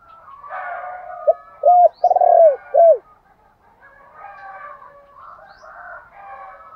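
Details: Decoy-style cooing of a spotted dove meant to call in other doves: one phrase of quick short hoots around a long quavering middle coo, then softer distant dove calls.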